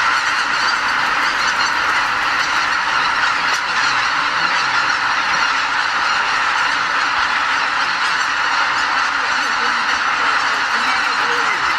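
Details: Wild greater white-fronted geese, around 80,000 birds, leaving the Lake Miyajimanuma roost in Bibai, Hokkaido, before sunrise in spring while migrating north. Continuous loud honking chorus from the huge flock, steady throughout, with a few individual calls standing out.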